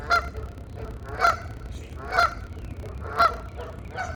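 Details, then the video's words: Geese honking back and forth as a mating call, with four loud nasal honks spaced about a second apart and softer honks between them, over low rumbling noise. "GEESE MATING CALL HONK TALKING WITH EACHOTHER"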